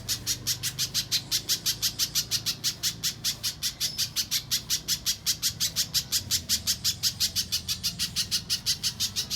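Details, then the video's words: Pijantung pisang spiderhunter in mbeset style, a clear-voiced master recording for training contest songbirds: a fast, even series of sharp high chip notes, roughly five a second, steady throughout with faint low hum behind. "Top Masteran Burung Pijantung Pisang Mbeset Suara Jernih Yang Disukai Juri Lomba"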